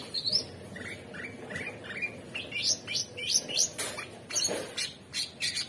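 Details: Orange-bellied Leafbird (cucak cungkok), described as super gacor, singing a modern 'materi' song: a run of short clear whistled notes, rising and falling, some slurred upward, delivered in quick succession with brief gaps.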